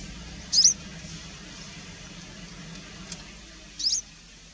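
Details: Variable wheatear (Oenanthe picata): two short, high, sharp chipping notes about three seconds apart, over a low steady hum.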